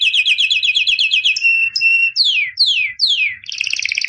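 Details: Champion albino canary, white, singing a rapid rolling trill, then two held whistles, three loud downward-sweeping notes and a final fast trill.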